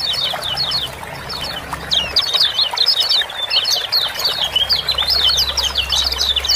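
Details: Lemon-bellied white-eye (kecial kuning) giving ciak-ciak calls, used to prompt reluctant birds to sing. Quick, high, sharp chirps in dense overlapping runs, sparse at first and then continuous from about two seconds on. Steady low hum beneath.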